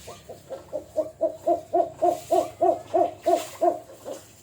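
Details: Bird called Jujuk or Tatapaian in a regional language, delivering a rapid run of low, hooting, hollow notes, about three per second, swelling then fading, over a quiet background.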